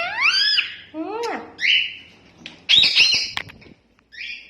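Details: Talking rose-ringed parakeet mimicking speech: a few rising, voice-like syllables, then harsh high screechy notes and a short squawk, loud and close.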